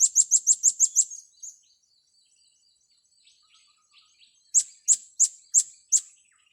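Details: Blue-crowned hanging parrot youngsters being trained: a rapid run of seven piercing high chirps, a quiet gap with faint twitters, then five more evenly spaced shrill chirps.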